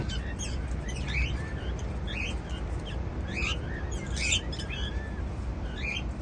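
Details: Pet cockatiels eating seeds, sounding happy: soft, rising chirps repeated about once every half second over a steady low rumble of room noise.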